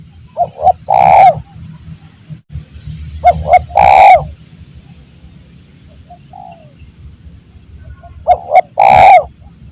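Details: ["Spotted dove lure recording used to draw wild doves in forest trapping, in the 'lambung Kuk 1 Mersik' style: two phrases of short mellow coos leading into a long harsh drawn-out coo, with a steady electronic whine behind."]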